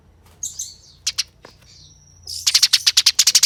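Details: Eurasian tree sparrow in a fight. Scattered squeaky notes and a sliding high whistle give way to a dense, quickening stream of coarse, rasping chirps.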